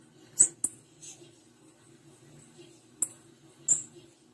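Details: Sparse high chips from a female blue-black grassquit, a close pair early, then two single squeaky notes after a pause, over near-silent background.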